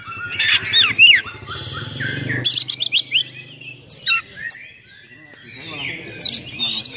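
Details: Oriental magpie-robin in loud, chatty full song with coarse fill-in notes, used to provoke and train other magpie-robins; sharp high chirps, a fast buzzy rattle, then rapid repeated notes about four a second, with a low hum early on.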